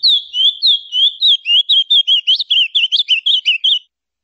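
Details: Ultramarine grosbeak (Azulão, Paraná type) song used to tutor fledglings and warm up other birds: a quick, warbled run of about eighteen high, sweet whistled notes, rising and falling for nearly four seconds, then stopping.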